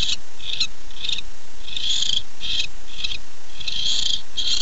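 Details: Male barn owl calling for his mate at night, 9-8-15, on a nest camera: repeated harsh hissing screeches, each about half a second, coming roughly once a second, with a low steady hum.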